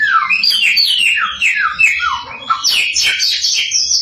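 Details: Samyong song used to provoke other samyong; a descending series of slurred whistles followed by a bright, scratchy high-pitched flourish.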